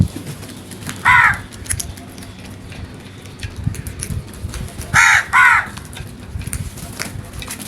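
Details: Crow calling loudly: a single harsh caw near the start, then two quick caws in a pair about four seconds later, over a low, steady outdoor background rumble.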